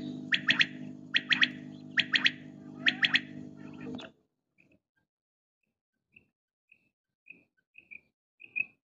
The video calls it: Single batair ki awaz | Quail sounds